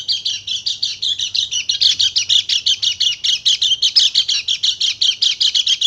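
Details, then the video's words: Dakun Bali white-eye in energetic shooting song, a stimulus for silent birds: a continuous stream of quick, shrill chirps that grows a little louder after two seconds and keeps a brisk, even beat. "PANCINGAN PLECI MACET BUNYI JADI EMOSI DAN GACOR"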